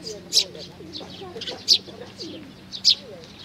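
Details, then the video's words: Sparrow chicks with their parents, recorded on 11 May 2019: three short bright chirps spaced about one to one and a half seconds apart, with faint lower murmuring and a steady low hum underneath. "可愛いすずめ達 20190511 5（雛鳥親子がやって来た）"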